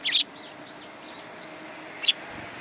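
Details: Sparrow chirps at a Tenmangu shrine's front path, February 13, 2022: one loud sharp chirp, several soft short downslurred notes, then a second loud chirp about two seconds later, over a low background hum.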